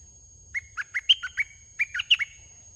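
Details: Aggressive wild red-whiskered bulbul challenging a decoy bird, giving two lively phrases of clear, liquid whistled notes, about six notes then four, each note swooping up or down, in a quiet setting.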